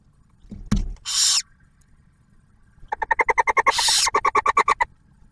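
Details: Nesting barn owls on Ottawa National Wildlife Refuge, Ohio, the male bringing food and the female feeding the first hatched owlet; a thud, a raspy hissing screech, then a rapid string of clipped chittering notes with a second screech mixed in.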